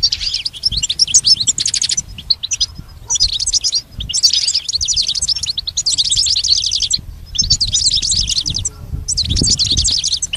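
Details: Goldfinch song used to coach a pet goldfinch, six clear phrases of fast, bright, tinkling twitters, each one to two seconds long and separated by short silences.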